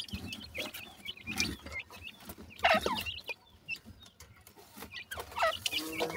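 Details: Playful black francolin chicks chirp in loose clusters of high, squeaky notes, with a few louder bursts and quiet gaps between them, over low background rustling.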